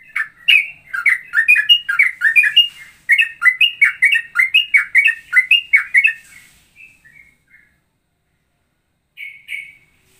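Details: Ropelan variation resembling Straw-headed bulbul and trucukan song: about six seconds of fast, continuous warbling chirps, then scattered soft notes and a final whistle.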